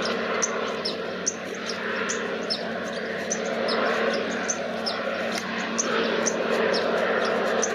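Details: White-vented violetear at Campo Quijano, Salta, at a place called La Linda: sharp, high ticking chips repeated about every half second under a loud, steady rushing background.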